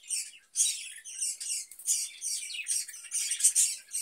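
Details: Budgerigar kept in a cage, offered cucumber during hot weather, chattering in an unbroken stream of high, buzzy twitters and squeaks after a brief opening pause.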